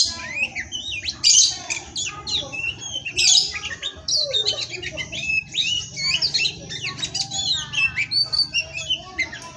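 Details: Continuous kacer song, Oriental magpie-robin kept by an Indonesian breeder: dense run of quick whistles, trills and sharp scratchy squawks, with loud harsh bursts near the start, delivered without pause over faint low hum.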